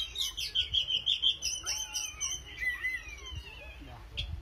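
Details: Oriental magpie-robin singing energetically, a rapid run of repeated high whistled notes followed by sliding, warbled phrases and a few descending slurs, with faint low background rumble.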